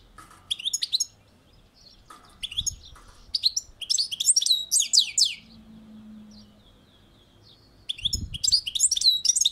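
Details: Repeated bright twittering phrases of a European goldfinch on a balcony, with rising and falling chirps, a pause containing a faint low hum, then renewed twitters alongside soft low knocks.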